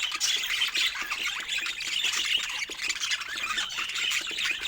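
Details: Pet budgerigars chirping while eating fruit: dense, continuous high warbling chatter with rapid scratchy notes, no pauses.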